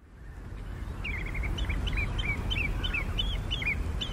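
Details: Eurasian curlew at low tide on the Ythan Estuary at Newburgh, Aberdeenshire, Scotland, in February: a quick run of short, sharp, slightly rising notes repeated several times a second over steady low wind rumble.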